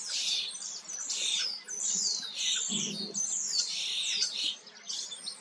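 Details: Singing while it preens, a common starling pours out near-continuous high chatter of squeaky whistles, rasps and downward-slurred notes, with a brief lower rumble midway.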